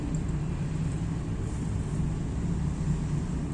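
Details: Steady low vehicle or engine rumble with no animal voices.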